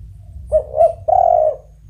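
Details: Melodious call of a spotted dove (tekukur): two quick coos and one long, even coo, clear above a soft low hum.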